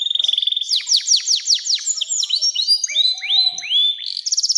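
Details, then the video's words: Long canary song for tutoring young canaries: rapid pulsed trill, then a fast series of loud downslurred whistles, followed by rising upswept notes and a closing buzzy rattle. "SUARA KENARI NEMBAK PANJANG‼️cocok buat pancingan kenari muda dan masteran burung"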